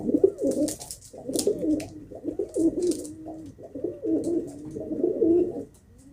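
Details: Pigeon cooing in long, low, gurgling phrases that swell and fade over several seconds, with scattered clicks and scuffling sounds.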